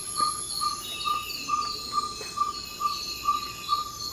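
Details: Ferruginous pygmy owl in Ecuadorian Amazon rainforest at pre-dawn, calling to advertise territory: a regular series of short hollow 'toop' notes, about ten in four seconds, set against a loud, pulsing high-pitched insect chorus.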